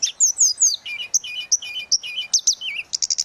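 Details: Fast, varied song of a tledekan laut: high slurred whistles and short repeated double notes in quick succession, bright and flute-like throughout.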